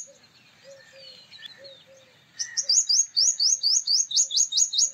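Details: A male purple sunbird opens into a steady, rapid series of sharp, high ringing notes, about a dozen in under three seconds, preceded by gentle low piping from another bird.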